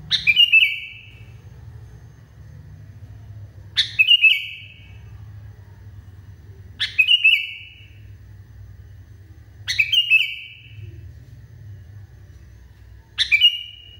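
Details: Sooty-headed bulbul (kutilang) described as going wild repeats five short phrases about every three seconds, each a crisp burst followed by a brief level whistle; constant low-pitched hum behind.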